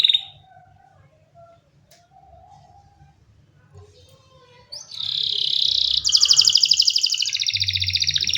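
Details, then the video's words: Quiet, scattered soft notes come first. A canary then bursts into loud song, a rich sustained warble followed by a rapid, bright, rattling trill that continues to the end. "جميع طيور الكناري سوف تغني بعد الاستماع إليها Canary singing"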